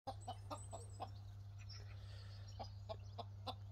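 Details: A Pekin bantam rooster in the Cotswolds gives short, sharp clucks, about ten in under four seconds, in uneven bursts over a steady low mechanical hum.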